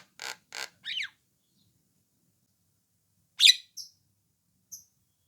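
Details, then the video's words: Javan myna with orange eyes calling to make other mynas answer. Two harsh grating bursts and a descending squeal are followed, after a pause, by one loud sharp note and two thin high pips. "SUARA PANGGILAN KHAS JALAK KEBO MATA ORANGE PAS BUAT PANCINGAN JALAK APAPUN AGAR IKUTAN NYAUT"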